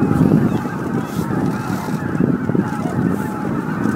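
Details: Roost arrival of greater white-fronted geese, about 15,000 birds, at Miyajimanuma marsh, Bibai, Hokkaido, on an April 2016 evening; a thick wall of overlapping yelping honks at steady loudness throughout.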